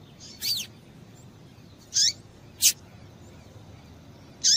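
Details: Calls of a female double-collared seedeater, used to get males singing: four bright, high, slurred chips spaced irregularly, each dropping in pitch at the end, with little background noise.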